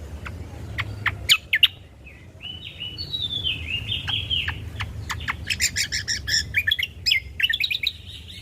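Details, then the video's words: Ruby-throated bulbul song in a natural recording used as a lure and tutor for caged birds: sharp clicking notes, then a run of slurred rising and falling whistles, ending in bursts of quick chirps over a low hum. "Pancingan Burung Dengan Suara Asli Burung Cucak Kombo"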